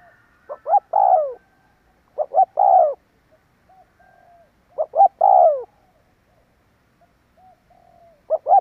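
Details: Lure call of a spotted dove for drawing in wild birds: low, soft cooing phrases with quick lead notes and a long burred coo falling away, repeated three times, with faint quiet notes between.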